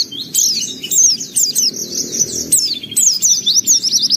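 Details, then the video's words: Continuous lively white-eye song of high, sharply slurred notes in rapid clusters, repeated phrase after phrase with short breaks, a low hum underneath. "Suara Burung Pleci Gacor Buka Paruh Bongkar Isian"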